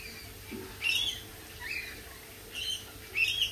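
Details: Lorikeets let out loud, piercing screeches in separate bursts, with short quieter pauses between the harsh calls.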